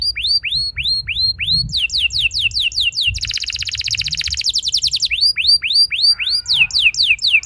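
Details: Young canary lure song to prompt long rolling song from other canaries: repeated downward-slurred whistles, then a dense fast buzzy roll lasting over a second, then more falling whistled notes.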